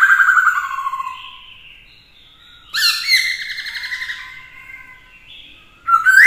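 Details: Black-throated laughingthrush, a trained bird singing a varied fighting song with a female nearby to stir it: a loud falling whistled phrase, a pause, then a burst of harsh rising notes and sustained whistles.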